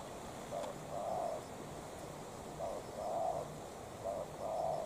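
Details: Spotted dove, a decoy bird challenging a wild rival. Three soft, low coo pairs, a brief lead note then a drawn-out coo, recur about every two seconds against steady background noise.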